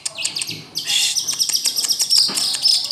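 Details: Long-tailed shrike in song, pouring out dense high chattering chirps and sharp clicks with a sustained shrill, warbling layer running almost continuously throughout.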